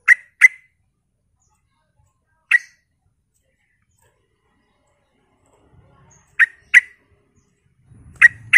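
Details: Lure recording of an energetic Sooty-headed bulbul, used to provoke replies from other bulbuls: short, sharp chirping notes in pairs and singles, widely spaced, with a faint low rumble near the end.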